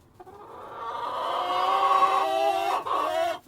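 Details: Farmyard cockerel with hens, one drawn-out, rich crow lasting about three seconds, steady then slightly wavering, with a short final note tacked on at the end.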